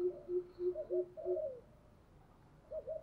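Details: Spotted dove with a 'thổ sấm' style voice, cooing as a decoy to provoke wild doves in the rainy, windy season: a run of short, low, evenly spaced coos, then a longer falling coo and a brief double note after a pause, over steady background hiss.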